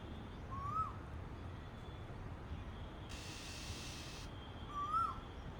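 A female Oriental magpie-robin gives two brief, thin whistles that rise and dip, about four seconds apart, over a low rumble and a short burst of hiss.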